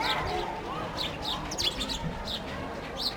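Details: Sparrows eating bread and playing; a few clear, high, downward-flicking chirps stand out against a dull continuous hum.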